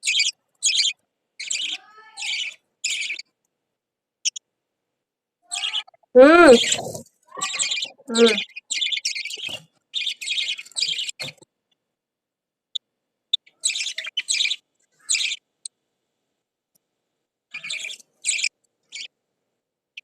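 Budgerigar chicks give harsh, raspy begging calls in rapid pulsed bursts, with a person briefly speaking.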